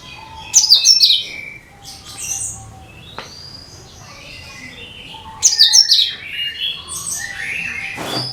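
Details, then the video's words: Cucak kinoi bulbul song used to lure other birds: two loud bursts of sharp, tumbling high notes about five seconds apart, with softer whistled slurs and chirps between them. "SUARA CUCAK KINOI BUAT PANCINGAN SEGALA JENIS BURUNG"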